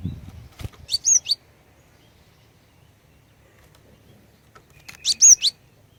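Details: Female cinereous tit calls to entice males to sing: two short bursts of three to four high, sharp chirps about four seconds apart, with a knock at the start.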